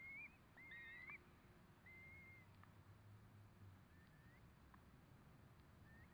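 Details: Curlew by a nest as four chicks hatch, uttering a series of short, thin whistles at irregular intervals, some rising at the end, with a low rumble and soft clicks behind.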